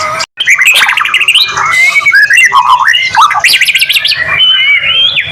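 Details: White-rumped shama, a songbird kept by bird hobbyists, singing a lure song meant to get other shamas singing; loud, varied, rapid phrases of whistles, sweeping slurs and harsh squawky notes with no pauses, low background hum throughout.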